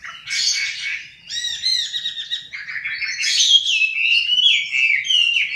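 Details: Male Chinese hwamei singing: a rich, varied run of loud whistled and warbled phrases, some slurred and rising, others in quick harmonic-rich bursts, continuing without pause over faint low background hum.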